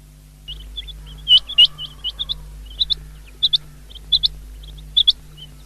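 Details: Common quail, recorded on 19 February 2024, giving clipped high whistled notes in pairs and triplets roughly every half second to second, with a brief scatter of extra chirps early on and a constant low hum beneath.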